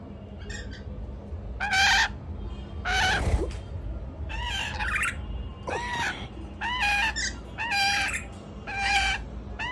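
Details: A male rainbow lorikeet gives harsh, screechy squawks, about one a second, some with bent, wavering tones, over a low steady hum.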